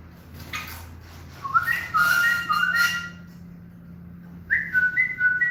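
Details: Common bulbul from Morocco, kept tame, whistling in the morning: a phrase of linked fluty whistles with upward slurs, silence, then a shorter similar phrase, with faint clicks and room noise.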